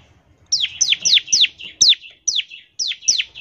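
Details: Bar-winged prinia in full ngebren song, a recording meant to coax prinias to sing quickly: eight high, slurred notes each dropping steeply in pitch, spaced roughly two to three per second.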